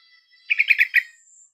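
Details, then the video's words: Yellow-vented bulbul song used as a lure to get a reluctant, silent caged bird to answer and sing: a quick run of five bubbly, gurgling notes, then a thin, steady high whistle trailing off. "Pancingan TRUCUKAN MALES KICAU dan MACET TOTAL Agar nyaut GACOR"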